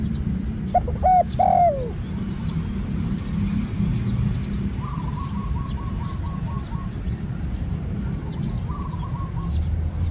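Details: Spotted dove, newly trained bird on an outing, gives one cooing phrase of short notes and a falling long coo near the start; another bird's rapid, evenly repeated notes follow, with low rumble throughout.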